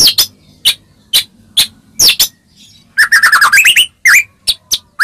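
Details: Song of a White-rumped shama used to make other shamas respond: spaced sharp high chips first, then a quick burst of rising and falling whistled notes near the end.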